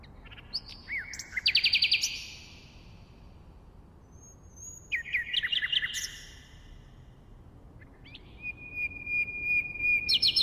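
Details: Three separate song phrases from a common nightingale: a burst of fast repeated notes, a high drawn whistle then a jumbled twittering run, and finally a rising sequence of quick stuttering notes ending on a sustained tone, with pauses between.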